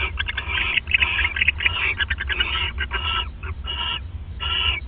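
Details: Owls bonding at the nest at 1:26 in the morning on 29 December 2014; a dense run of raspy, harmonic chittering bursts in quick succession, several overlapping, with short gaps, over a steady low hum.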